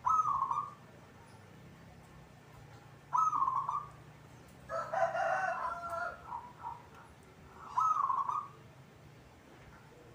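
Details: Caged local zebra dove cooing: short trilled phrases in bursts about every three to four seconds, with a louder, more complex coo in the middle, over steady background noise.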